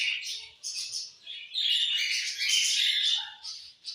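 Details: Several budgerigars in evening song, loud scratchy chattering with squawky notes and quick high chirps, swelling into a dense burst midway before tapering off.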